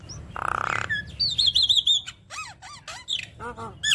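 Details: Varied chatter of a Javan myna, a recording meant to set other mynas singing: a buzzy rasping burst, then a high wavering whistled trill and a string of downslurred and arched notes, low hum beneath.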